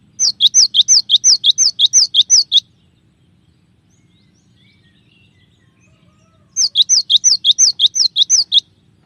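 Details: Training recording of a cinereous tit's shot-like song variations: two long runs of about eleven rapid, crisp high-low double notes, separated by a four-second pause, in a quiet setting.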